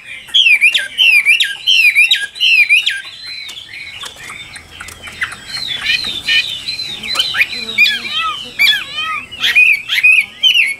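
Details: Chinese hwamei in full loud song: series of sharp, repeated slurred whistles, then a rapid jumble of varied warbling notes, returning to ringing repeated phrases near the end.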